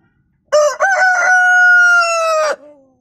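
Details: Rooster crowing once: a few short choppy opening notes, then a long, loud, steady drawn-out note lasting about two seconds before breaking off, with nothing else heard.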